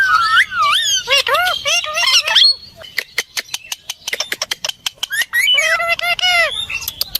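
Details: Ringneck parrot talking: gliding, wavering harmonic phrases with rising and falling speech-like syllables, broken by a run of sharp dry clicks in the middle before more tonal, voice-like phrases return.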